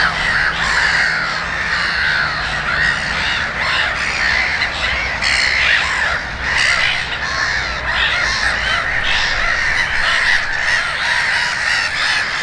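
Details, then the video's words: Gull flock at Konstancin-Jeziorna in full cry: layered harsh squawks and wailing mews sound continuously, with louder individual calls pulsing through the din. "GŁOS MEWY-THE VOICE OF THE SEAGULL"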